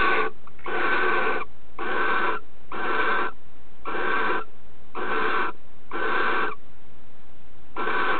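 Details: Courting barn owl pair: the female accepts the male's mouse offering and mates holding it in her beak; steady series of coarse, snore-like hissing bursts, each about half a second, roughly one per second.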